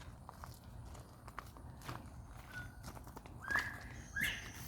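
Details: In mid-July, a Northern Bobwhite calls from behind a vegetable garden: a faint two-part "bob-white" whistle, a short clear note then a sharply rising "white", under close rustling and footsteps.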